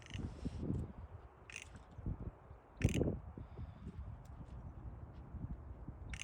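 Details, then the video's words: A magpie gives short, harsh, raspy bursts spaced a second or more apart, over a steady low rumble of background noise. "This magpie was making some interesting noises!"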